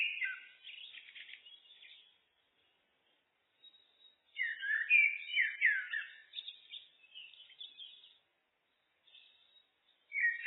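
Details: Common blackbird, looped recording: soft twittering notes, then a longer phrase of mellow, fluting whistles and higher twitters, with a quiet pause before a final whistled note.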